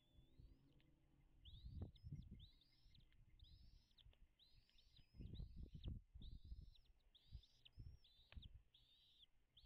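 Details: Wild American bald eagle calling at its nest on Dale Hollow Lake, a reservoir on the Kentucky-Tennessee state line, captured by a nest camera at 09:56. It gives a series of high, thin, arched chirps, about three per second, over low rumbling wind and thumps.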